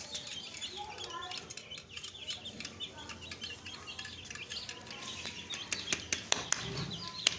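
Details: Newly added young chicks in a flock, giving high, thin peeps that slur downward, overlapping in an irregular chorus. Scattered clicks and taps sound through it, louder toward the end.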